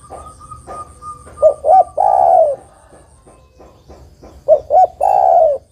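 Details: Spotted dove hen calling for a male, used as a luring call. Two full phrases, each made of a pair of quick low notes followed by a sustained coo that slides downward, separated by quiet gaps with faint soft notes.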